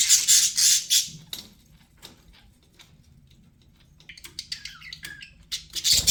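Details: Pet budgerigar chirping opens with a loud rapid burst of harsh chatter, falls almost silent for a few seconds, then returns with twittering warbles and sharp squeaks.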